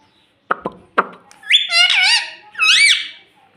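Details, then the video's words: Pet talking rose-ringed parakeet that says "mummy" gives two loud, harmonic, rising-and-falling phrases after a few sharp knocks. "Mummy Bolne Wala Tota || Batuni Tota Mitthu || Talking Parrot"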